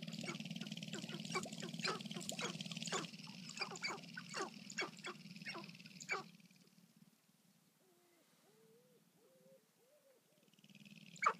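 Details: Sharp-tailed grouse at a lek in Colorado in April 2014, recorded at close range with an iPod: rapid clicking and popping notes over a low pulsing hum, then soft whining, wavering cooing notes.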